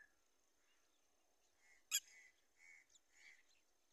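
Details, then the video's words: Red-wattled lapwing moving around in fields in early morning gives four short, shrill notes about half a second apart, fairly faint, with one sharp click partway through. "Red - Wattled Lapwing | Beautiful Bird & Sound"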